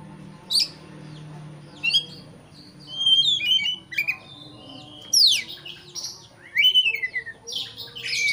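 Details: Oriental magpie-robin song used to provoke a rival into agitated singing: scattered sharp whistled notes and rising and falling slurs, broken by pauses, with bursts of harsh buzzy notes near the end over a faint low hum.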